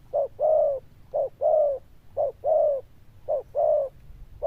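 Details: Zebra dove cooing with a loud, bell-like 'đồng chuông' tone. Each phrase pairs a short note with a longer, bending coo, repeated at about one-second intervals over a quiet background.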